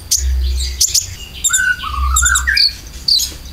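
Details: Konin lure song with filler material for caged birds: sharp high chirps, then a squeaky wavering whistle that rises and falls before more high notes, all over a constant low hum.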